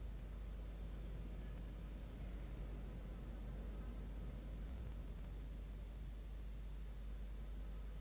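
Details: Quiet, even hiss and low hum with no animal calls.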